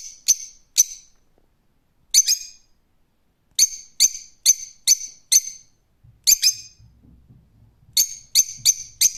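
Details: Rose-ringed parakeet screeching in bursts: piercing, grating high calls given singly, in pairs and in quick runs of four or five, separated by short silences, with a faint low rumble near the end.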